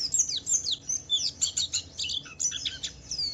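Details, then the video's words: Javan white-eye singing to provoke other white-eyes: varied high twittering with sweeping and descending notes in irregular bursts, somewhat busier and softer than a plain repeated series. "Suara burung Pleci Wiklus Wiksar memancing Pleci lain cepat cepat bunyi gacor"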